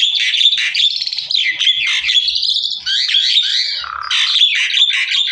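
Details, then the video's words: A Javan myna (jalak kebo) sings a loud master song meant to make other mynas follow it: a continuous, mostly high-pitched medley of harsh chatters, whistles and squeaky notes in rapid varied phrases without pauses. "SUARA MASTERAN BURUNG JALAK KEBBO//JALAK KEBO MANAPUN AKAN IKUT BUNYI"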